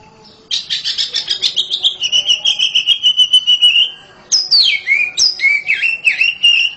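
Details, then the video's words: An oriental magpie-robin kept at home sings loudly: a fast, steady series of repeated clear notes lasting several seconds, then after a pause, swooping whistled phrases that dip and rise. "KACER RUMAHAN KICAUNYA NYARING"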